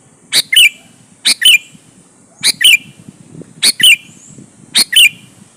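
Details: Sooty-headed bulbul in lively song, meant to draw rival bulbuls into replying. Paired notes repeat about once a second: a sharp chip, then a brief twisted whistle, over faint low background rumble.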